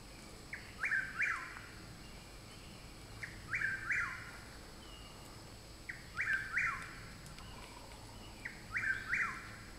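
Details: Chuck-will's-widow singing in woods behind a home. Four phrases come about every two and a half seconds. Each is a soft note followed by two quick, emphatic whistled syllables. There is a steady hiss of night ambience.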